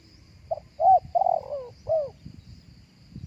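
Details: Spotted dove cooing live, a recording used through a speaker to lure other doves: a short soft note, then a hoarse coo, a long drawn coo sliding downward, and a final arched coo, over faint low rumbling background.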